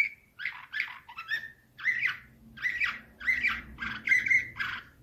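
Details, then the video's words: Canary, Slavujar song style, 2024: separate harsh, buzzy chirped bursts come roughly twice a second over a faint low hum. "Uccello dell'usignolo delle Canarie Slavujar"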